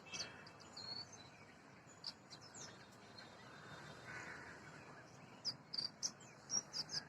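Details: Oriental magpie-robin, national bird of Bangladesh, with a few faint early chirps, then a quick run of sharp, high whistled notes near the end. A constant thin hiss runs underneath.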